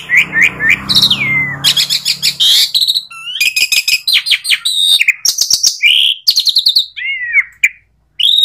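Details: Asian pied starling (jalak suren) song: a rich, varied medley of rapid chattering notes, whistled slurs and upward sweeps, with buzzy bursts and short pauses, loud and close.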